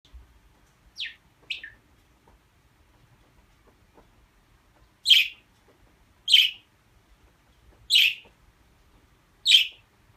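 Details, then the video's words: Budgerigar calling: sharp, high, scratchy chirps, two close together early on, then four louder ones evenly spaced about every one and a half seconds, in a quiet setting. "Muhabbet Kuşu Sesi"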